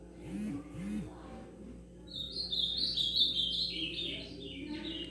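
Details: Young ultramarine grosbeak (azulão) just starting to sing, a warbled high-pitched twittering phrase with fluctuating notes following a man's voice, over a steady low hum.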